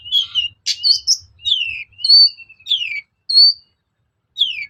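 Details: Lure recording of a long-tailed shrike for provoking singing: varied whistled phrases, mostly clear downslurred notes and short level whistles, delivered irregularly with brief pauses between them.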